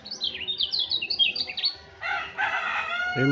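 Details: Fired-up white-eye owned as a pet gives a quick, sweet, high warble of slurred chirps, then a rooster's crow takes over for the second half.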